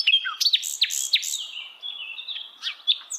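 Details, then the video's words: Wild flycatcher singing in a forest: a rapid run of sharp high whistles and chirps with quick up-and-down slurs, then thinner sustained high notes and a few final bright chirps; no other sounds. "kicauan Sikatan Londo Dialam Hutan Liar"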